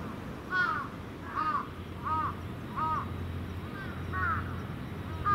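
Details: Crows at their evening roost on Venus Terrace, some appearing young; a steady series of rough caws roughly every 0.7 seconds, one bird answered by others, above a low humming background.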